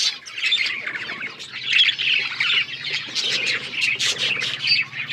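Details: Several pet budgerigars chirping together in a continuous chatter of warbled, scratchy notes and squawks, many overlapping voices with no pause.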